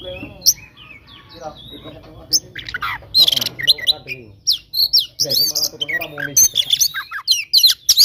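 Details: Oriental magpie-robin giving aggressive fighting song meant to provoke rivals: harsh squawks mixed with rapid, jumbled high chirps, whistles and trills in loud irregular bursts, with a man talking underneath early on.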